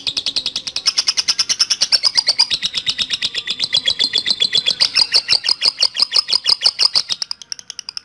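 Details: Lovebird ngekek panjang song, a long chattering lure meant to set other lovebirds singing: rapid, steady, high-pitched ticking notes run continuously for about seven seconds, then break into a few softer, slower notes at the end.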